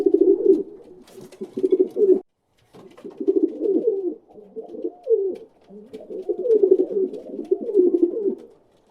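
Pigeons coo in low, throaty, rolling bursts, several overlapping, with a brief pause partway; the sound is close and slightly roomy.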